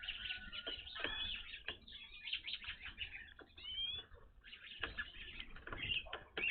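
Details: Evening grosbeaks at a bird feeder, seen here for the first time; clear rising whistled calls and sharp chirps from several birds, interspersed with clicks and wing flaps.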